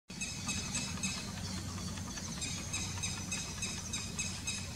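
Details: Red-wattled lapwing (Vanellus indicus) chick on 15 August 2021 giving thin, high peeps in quick repeated bursts over a low rumble.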